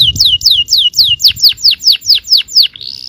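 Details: Yellow canary performing provocation song for other canaries: about ten clear downslurred whistles, roughly four per second, ending in a brief buzzy roll.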